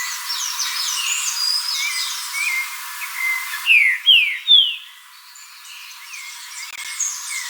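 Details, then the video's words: Green-winged saltator singing three loud, clear, downslurred whistled notes in quick succession. Softer chirps and twitters from other birds fill the background before and after. "Trinca ferro canto"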